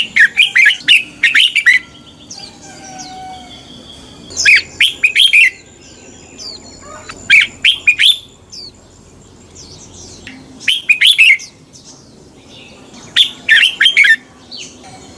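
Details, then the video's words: Red-whiskered bulbul fighting song for morning singing training: short bursts of three to five loud, bright, warbled whistled notes repeated every few seconds, with softer high whistles from other birds between phrases. "Luyện chào mào hót sáng. chào mào hót đấu"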